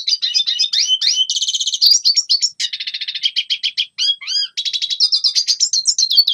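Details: Red siskin song played to teach young birds to sing: a continuous high, fast warble mixing dry buzzy trills, chattering runs and a few clear rising whistles, with brief pauses between phrases.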